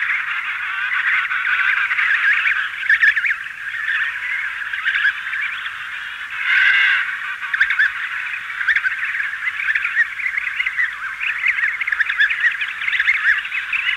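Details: Adults and chicks of an emperor penguin colony at Cape C, with wing beating; constant layered chorus of squealing and trumpeting calls, one prominent harmonic call about halfway, slightly hissy throughout.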